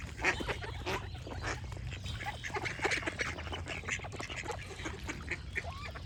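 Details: Ducks keep up a steady stream of raspy quacks, short and overlapping, while birds chirp and a low rumble stays in the background.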